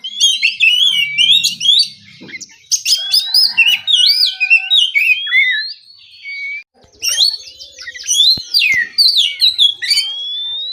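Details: Relaxed morning song of an oriental magpie-robin, called kacer ngeplong, meant to make rival kacer reply: long sequences of varied clear whistles, upslurs and rapid trilled notes, broken by a short silence before singing resumes.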